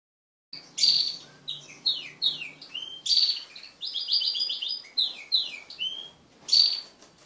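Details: Crested canaries, pet birds mating together as a group, sing a varied song of bright chirps, downward-sweeping whistles and a rapid buzzy trill, delivered in short phrases separated by brief pauses.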